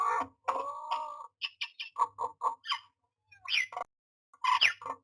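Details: Myna at a nest box during nesting: a run of harsh, croaking and chattering notes with short whistled upslurs, given in quick uneven bursts with brief pauses.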